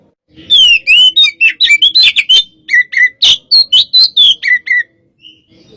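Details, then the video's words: 'Hot type' kacer sparring song, Oriental magpie-robin: dense, energetic phrase of sharp whistles and harsh chips, with a series of lower repeated notes near the end, then a soft whistle before it fades. "pacingan burung Kacer tipe panas"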